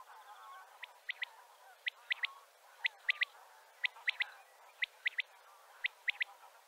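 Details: A male common quail gives its call to gather other quails: a liquid, sharp, clipped three-note call repeated about once a second over a faint, low background murmur.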